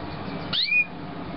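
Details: Young canary of 2009 uttering a single short call: a high downward slide followed by a brief level whistled note, against quiet indoor hiss.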